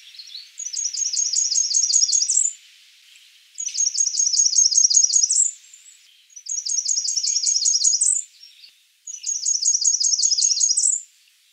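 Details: High-pitched Blackburnian warbler calling, four times in a row: each phrase is a fast, even series of thin, needle-like notes that closes with a rising, sizzling flourish, separated by short pauses.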